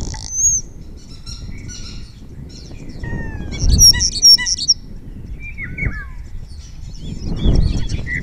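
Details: ['Spotless starling singing in front of the camera in Cabañeros National Park, answered by others, imitating orioles, kites and other birds. Scattered whistles give way to a loud rattling burst of high notes, then quieter slurred whistles.']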